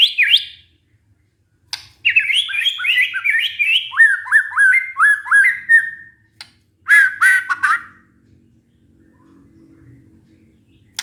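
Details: Lure song of a white-rumped shama, meant to get a stressed, silent bird singing again. A loud high note opens, then a string of repeated upslurred whistled phrases, a short pause, and a final rich burst.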